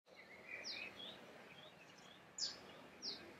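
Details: Bronze sunbird of subspecies kilimensis, recorded in Musanze, Rwanda, in March 2013: three short, high, sharply downslurred chips spaced about a second apart over faint thin twittering and a steady background hiss.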